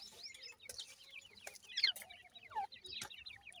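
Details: Francolin chicks calling in a busy flock, giving sharp high downward-sliding peeps in quick overlapping series, broken by several short clicks and knocks.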